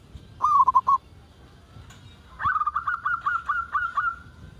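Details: Zebra dove of local stock calling to draw out other doves: one brief rapid trill of three notes, a pause, then a rising run of soft, bubbling coos.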